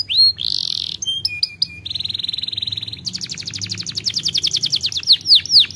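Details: Canary singing a varied series: a short high note, a loud sustained buzzy burst, clipped chips, a long fast metallic trill, then rapid rolled notes and loud sweeping downward whistles.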